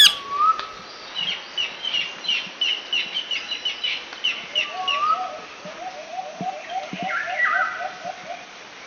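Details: Green pet parrots give a run of short bright chirps, about three per second, mixed with a level whistle. A quicker series of lower clipped notes follows, with other chirps and light background noise around them.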